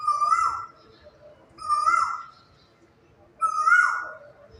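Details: Quail song on a quiet morning: three strong, rich notes, each flat and then dropping at the end, spaced about one and a half seconds apart, with faint low background rumble.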